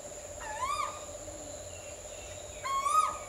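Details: Two rising whistled Asian koel notes about two seconds apart, somewhat distant and soft, with a steady background hum.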